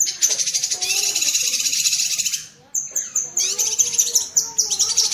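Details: Cucak kinoi bulbul chattering in tembakan cerecetan fashion, training audio for pet birds: a buzzy rattling run, a near-silent gap, then clipped high whistles and renewed chip bursts.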